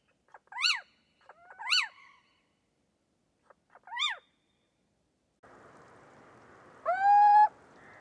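A little owl gives three sharp, yelping notes that rise and fall, then a longer rising, mewing note over a steady background hiss.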